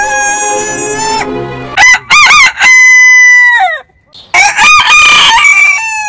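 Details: Heritage-breed roosters crowing in sequence, a held harmonic crow followed by quick choppy rising notes and a long steady tone that bends downward, then another crow with wavering upper harmonics; no other sounds.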